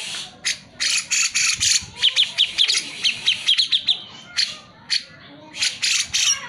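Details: Grey-cheeked Bulbul in energetic song, played to encourage lazy birds to sing: harsh noisy bursts followed by a rapid series of short, sharp ticking notes, then more rasping phrases.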